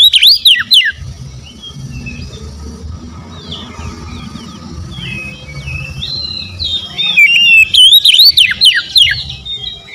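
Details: Oriental magpie-robin song in two loud bursts of swooping whistles and clicks, at the start and near the end, with distant birds chattering in between.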